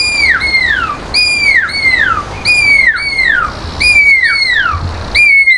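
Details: A captive Pearl-spotted Owlet calls from its enclosure at Montecasino Bird Gardens, Johannesburg, on a hot day, giving loud, piercing whistles that slide steeply downward, mostly in pairs, about nine in five seconds, over a faint low hum.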